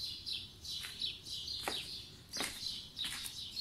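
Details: Morning birdsong, spring 2020: high chirps and twitters overlap continuously, broken by a few sharp snapping sounds like nearby clicks or wingbeats.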